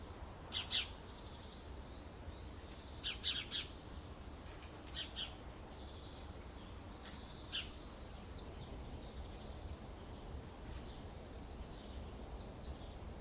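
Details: Pair of short-toed treecreepers lining a nest box with pine needles and twigs in Aleppo pine woods near citrus orchards at Alzira, Valencia, 24 February 2016; clusters of high, thin, sharp notes in irregular bursts, fading to faint twitters, with low background hum.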